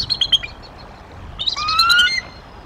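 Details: Female bald eagle vocalising at her Decorah nest in April 2023. A few high chips are followed by a long, thin, slightly rising whistle lasting about half a second.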